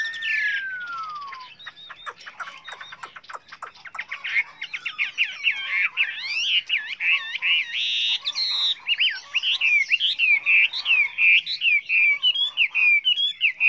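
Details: Chinese hwamei singing a rich, many-voiced song for training other birds: a long falling whistle, then rapid clicking notes building into fast, tumbling whistled phrases and slurs.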